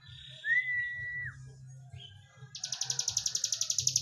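A prinia gives a long, level whistle, then a brief note and a fast, high, buzzy series of about four notes per second. A low hum sits underneath.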